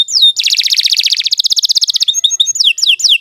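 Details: Canary song snippet: a falling whistle leads into a fast, dense buzzy trill, followed by sharp repeated chips and quick downslurred notes.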